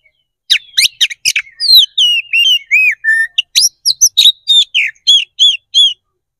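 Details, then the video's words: Kacer, or Oriental magpie-robin, delivering a loud fighting song to provoke rivals: rapid harsh chips, then a rolling series of curved whistled notes, then steady repeated bright phrases about every third of a second. "KACER GACOR NGEPLONG TARUNG"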